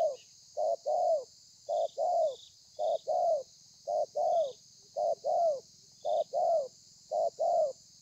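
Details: Wild-caught spotted dove giving a 'thổ pha' song, recorded 30 November 2020. Evenly paced low coos, each a short note followed closely by a longer downslurred note, repeated about once a second with steady rhythm.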